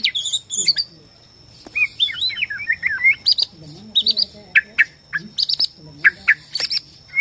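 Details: White-rumped shama of the Borneo type, song played to provoke shamas into singing and fighting: rapid whistled phrases, slurred warbles and sharp high chips in varied bursts, with a steady high electronic whine behind.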